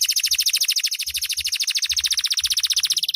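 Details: Canary of the loper type singing at night, delivering a loud, rapid, steady high trill of sharp repeated notes, about a dozen per second, sustained through the whole stretch with faint low thumps beneath.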